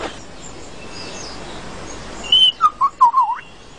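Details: A male lyrebird sings his most complex song to attract females, mimicking forest sounds such as a camera shutter and motor drive: a clear high whistle, then five quick descending liquid notes with swooping slurs, over faint hiss.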